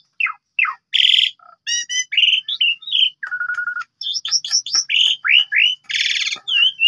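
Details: Asian pied starling singing as a lure for other birds, morning, noon and night: mixed slurred whistles, harsh buzzy bursts, a rapid stutter and descending sweeps.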